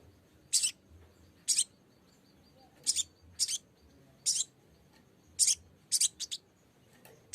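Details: Lesser green leafbird calling a rival in a lure recording: a series of brief, harsh, high chips about one to one and a half seconds apart, tightening into quick pairs and triplets toward the end.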